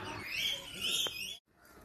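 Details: Unnamed birds that were screaming a lot at a place with giraffes and zebras give loud, shrill, high-pitched, overlapping screeching calls, with a voice speaking underneath; finding: Birds.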